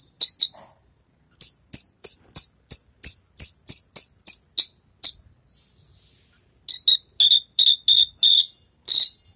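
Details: After its moult, a Javan bush lark rehearses its songs, giving runs of short, sharp, scratchy chirps about three per second, then a brief pause with a soft rustle, and a further series of buzzier, fuller notes.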